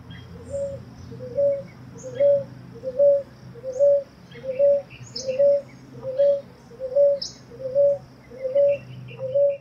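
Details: A Ruddy Ground-Dove in São Miguel do Iguaçu, Paraná, Brazil, gives soft, low, evenly spaced coos, a bit more than one per second, while other birds chirp faintly in the background.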